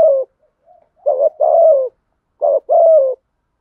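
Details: Spotted dove kept as a decoy for wild doves gives two doubled coos, a short note followed by a drawn-out, slightly falling one, after a soft faint lead-in note. Nothing else is heard.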